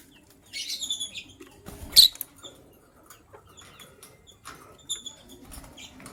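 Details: Lovebirds, gray and yellow-green, chirp in the morning, the gray one ready to lay eggs: ringing high notes with bright overtones and one loud harsh squawk, amid light rustling.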